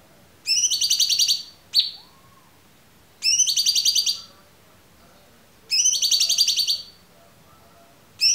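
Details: Cucak cungkok song, clear and recorded for tutoring other songbirds. Rattling harmonic trill phrases of about a second recur roughly every two and a half seconds, with one short sharp chirp after the first phrase.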